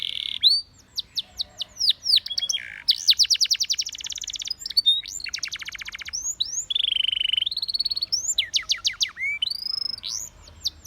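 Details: Spanish Timbrado canary in full song for coaching other canaries: rolling rapid trills, curved downward whistles, a long buzzy rattle and a flat sustained note, phrases changing every second or two.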